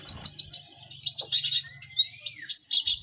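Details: Cinereous tit song from a lively group, used to speed up song learning in caged birds; a steady series of high rhythmic repeated notes with a lower sliding whistle beneath and a low hum.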